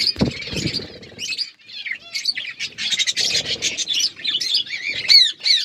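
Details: Colourful budgerigars chirping: quick buzzy warbles and short rising and falling whistles in uneven bursts, several birds calling over one another, with a couple of soft thumps near the start.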